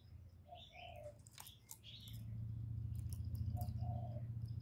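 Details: Spotted dove cooing to lure and stir wild doves, with calling, urging and cooing styles. Two soft, low coo phrases, each a short note then a longer drawn note, about three seconds apart, over a steady low hum with scattered high chirps of other birds.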